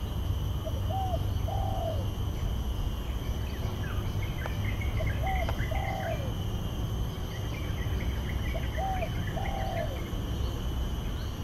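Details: Spotted Dove singing at the Botanic Gardens, Singapore, repeating a soft, low cooing phrase three times about every four seconds over low traffic-like rumble and faint chirps of other birds.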